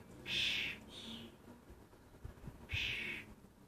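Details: Two loud, wheezy rasps come from excitable common starling fledglings in Lancashire, separated by a quieter call. Faint low knocks fill the gap between them.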